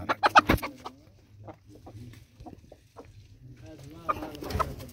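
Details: Chickens rushing out of their coop in the morning: a burst of loud, sharp clucks, then softer scattered clucking, with more busy clucking toward the end.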